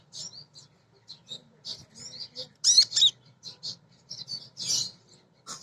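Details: High, scratchy twittering from a female kolibri ninja sunbird, a lure for provoking birds to sing, with dense short chirps and a few louder squeaky notes over a faint low hum.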